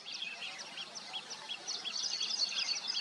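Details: Nesting weaver birds chatter in short, quick, arched chip notes repeated several times a second, with more voices joining into a busier twitter toward the end.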